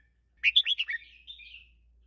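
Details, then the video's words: Teacher-style song of a red-whiskered bulbul, 'double 3' line: a lively run of five bright, slurred whistles followed by a softer, trailing warble that fades away. No other sounds. "เสียงนกกรงหัวจุก | แม่ครูสายเบิ้ล3เพราะๆ"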